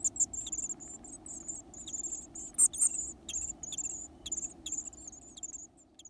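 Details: Lively Varied tit nestlings eating big insects; a string of thin, very high chirps in quick irregular bursts, with a couple of sharper clicks around the middle and quieter peeps at the end.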